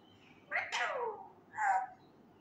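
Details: Male Indian ringneck parakeet learning words says a drawn-out, falling, voice-like phrase, followed by a shorter, higher syllable.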